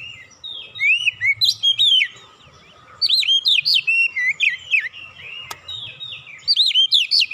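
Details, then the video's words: Oriental magpie-robin song interspersed with cinereous tit song, meant as a lure: repeated runs of bright, swooping whistles at a brisk pace, with one short gap after two seconds and a faint low rumble underneath. "PANCINGAN KACER ISTIMEWA BESET SUARA GLATIK BATU"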